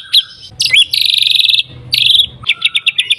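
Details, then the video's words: White-rumped shama song played to provoke other shamas: a quick whistled note, then buzzy rattling trills, then a run of bright staccato chirps, over a low background rumble. "MURAI BATU GACOR AMPUH BUAT PANCINGAN MURAI BATU AGAR BUNYI CEPAT BIKIN MURAI BONGKAR MATERI"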